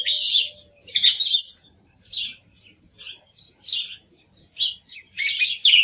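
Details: Singing song thrush: loud scratchy high bursts at the start, then quieter chirping notes and a final loud twittering phrase.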